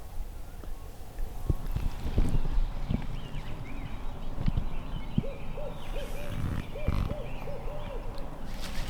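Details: During a spring turkey hunt in woods by a cove, a Barred Owl gives a quick rhythmic run of about eight mid-pitched, arched hoots over the last four seconds; rustling, thumps and low rumble from hunters moving close by.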